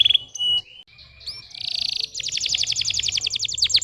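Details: Canary song played to stimulate lazy young canaries: a flat whistle, short tones, a rising slur, a brief buzzy trill, then a long, quick, evenly repeated series of bright notes.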